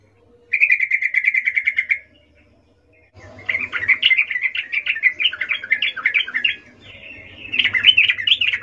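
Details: Sooty-headed bulbul female in breeding condition calls the male, ngecuplik style: a steady rapid trill of even notes, a pause, then long bubbling chatter rising and falling, ending in another lively burst.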